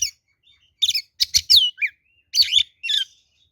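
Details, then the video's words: Singing oriental magpie-robin in fighting mode, a lure song meant to rouse rivals: short harsh bursts, a bright descending whistle, then a low slurred note and more raspy phrases. "SUARA BURUNG kacer gacor NGEPLONG TARUNG ini paling AMPUH buat PANCINGAN kacer NYAUT EMOSI"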